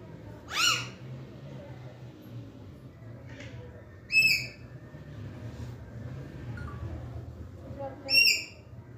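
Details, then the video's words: Green parakeets in a talkative mood let out three loud, harmonic, downward-sweeping squawks roughly every four seconds, with soft chirps and a steady low hum between them. "Green parakeets are in Speaking 🔊 Mood"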